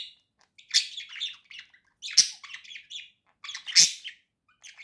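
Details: Pair of pet budgerigars warbling indoors: bursts of scratchy chatter and clicks punctuated by three loud sharp squeaks roughly every one and a half seconds, between quieter buzzy twittering.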